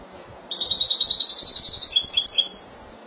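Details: Spanish goldfinch singing in the Málaga style: a two-second run of bright, high twittering notes, with rapid trills and a buzzy slur near the end, over quiet background hiss.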